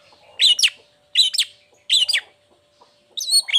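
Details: Cendet (long-tailed shrike) lure recording for lazy or moulting shrikes: paired scratchy, rasping notes repeated about every 0.8 seconds, ending in a higher whistled, chattering phrase; faint hum behind.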